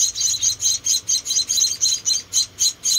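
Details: High, piercing chirps from four tiny rescued munia babies during feeding, evenly spaced at roughly four a second.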